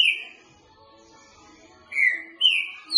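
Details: Green-winged saltator singing in the boca mole style for training: a single downslurred whistle, a long quiet gap, then two more falling whistled notes close together.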